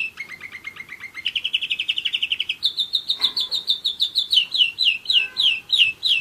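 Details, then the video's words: A one-year-old German Roller-split canary sings a low, fast trill, shifts to a higher, faster buzzing roll, then delivers loud, evenly repeated down-sweeping notes. "german roller-split canary"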